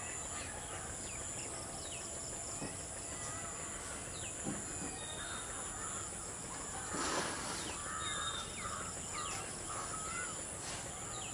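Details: A pair of Rufous treepies perched on a dry Sheesham tree; one gives a harsh, rasping call once or twice, amid scattered faint chirps from other birds and a steady high insect hiss.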